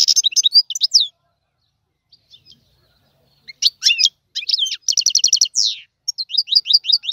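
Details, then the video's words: Goldfinch tiwawati song: bursts of lively twittering separated by a short quiet pause, then a fast run of repeated buzzy notes, a downslurred sweep and more bright chirps. "تغريد الحسون طيواواطي"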